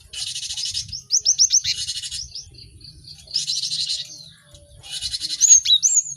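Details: Cinereous tit training recording for quick song learning: harsh, buzzy broadband bursts alternate with short runs of quick high whistled notes, ending with sharp slurred whistles.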